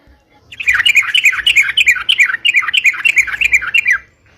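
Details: Sooty-headed bulbul in ropalan gacor song, used to lure birds for trapping: one continuous run of rolling, dipping chirps, roughly three to four a second, rising from quiet and trailing off.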